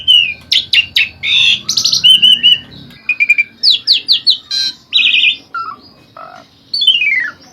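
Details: Asian pied starling in lively full song, recorded as training audio for songbirds: dense bursts of harsh chattering notes mixed with clear whistles and a final descending slurred phrase, with short pauses between bursts.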